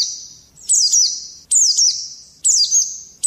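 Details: Oriental white-eye singing sharp high phrases about once a second, each a quick slurred twitter over a thin sustained trill, a harsh rolling style meant to spur other birds to sing.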